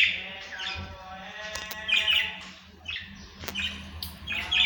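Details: Budgerigars, known as Australian parrots, chattering in harsh, buzzy warbled bursts that come close together, with a steady low hum and occasional clicks behind them.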